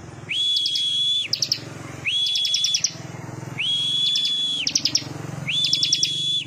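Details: Bar-winged prinia (ciblek) singing: a long, steady high whistle held about a second, topped with quick sharp chips, repeated four times at roughly 1.5-second intervals over a low background hum.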